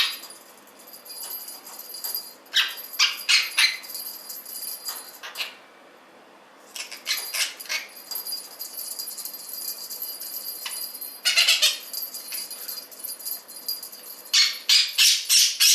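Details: Pet blue Quaker parrot, male, going wild with his bell toy in the morning; rapid bursts of harsh screeches and squawks come in clusters, separated by brief quiet gaps, over a constant high metallic ringing.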